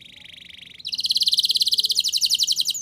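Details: Canary song to get young canaries singing: a soft lower rolling trill, then a louder higher rapid pulsed trill of crisp repeated notes.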